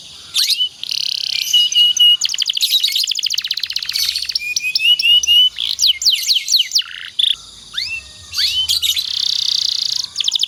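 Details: Long canary master song meant to train other canaries to sing: buzzy trills, rapid repeated notes, upward-sweeping whistles and rolling phrases, continuous with very brief pauses.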